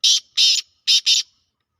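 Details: Black francolin calling in a calling contest: four harsh, loud, grating notes given as two quick pairs within about one and a half seconds, with silence after.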